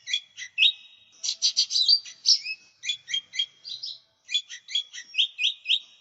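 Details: Lesser green leafbird (cucak ijo mini) singing in full voice as a lure and tutor recording: a lively run of sharp chips, short whistled notes and rising slurs, with brief pauses between bursts. No other sounds.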